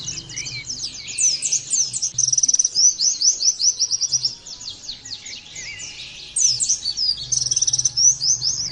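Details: High, rapid twittering song of a kept Oriental white-eye: dense runs of thin chirps and buzzy trills, pausing briefly midway before resuming, with a quiet low hum beneath.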